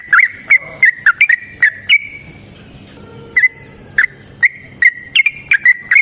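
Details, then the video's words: Yellow-vented bulbul giving a long fighting song as a lure for other bulbuls: clusters of bright, slurred notes, a quieter stretch with faint thin background whistles, then fresh bursts of bubbling phrases. "Suara Trucukan GACOR Tarung Ropel Panjang Pancingan TRUCUKAN Agar Bunyi"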